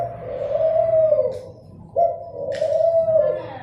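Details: Dove cooing twice in succession, each a drawn-out low hum that holds steady then slides slightly downward, the second starting abruptly after a brief pause.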